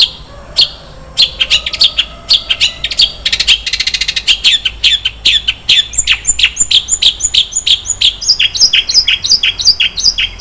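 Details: Long-tailed shrike singing varied 'isian' fill-in phrases: sharp ticks build into a dense rattling burst, then a long series of quick repeated high chirps, about three each second.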